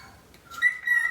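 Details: Male pet cockatiel singing and chattering in front of a mirror at home; two steady, clear whistled notes held at the same pitch in the second half, preceded by faint softer chirps, with a quiet room in the background.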